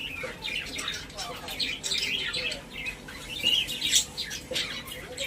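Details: Pet budgies in a cage, social parrots, chattering in a steady stream of high, buzzy warbles and short chirps, with faint speech-like sounds underneath.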